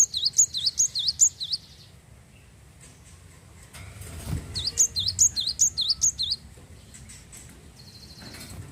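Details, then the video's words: Java sparrow (glatik wingko) in full, prolific song, played to stimulate other Java sparrows to sing: two bursts of rapid, high, bell-like chirping notes about four per second, separated by a quieter pause with faint rustling. "glatik wingko gacor mampu merangsang burung glatik anda jadi bunyi"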